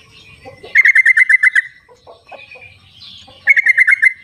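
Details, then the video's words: Wild yellow-vented bulbul, recorded to prompt silent birds into song. A run of about nine quick, rhythmic bubbling notes is followed by a few soft chips, then a second shorter run. "suara trucuk di alam liarnya buat panggilan trucuk yang tidak mau bunyi"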